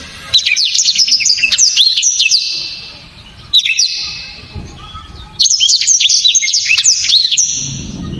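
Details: Loud, dense blacktrod song in the 'tembakan' style, described as hard and sharp. Three bursts of fast, high, whistled slurs and trills are broken by short silent gaps.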